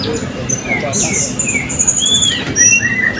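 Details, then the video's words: Blue-crowned hanging parrot entries, class B, at a 2024 open birdsong and style competition in Balingian, producing thin drawn-out high whistles and short upslurred and downslurred squeaks over a steady low crowd hum. "Burung Serindit B - Pertandingan Seni Suara dan Gaya Burung Berkicau Terbuka 2024 Balingian"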